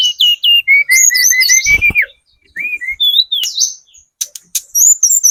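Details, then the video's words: Sunda robin with spotted plumage singing as a lure for other birds: clear repeated whistled notes at steady pitch, then rising and falling slurs and high chips, with a faint low thump. "PANCINGAN TLEDEKAN GUNUNG TROTOL SUPER GACOR, burung manapun pasti nyaut"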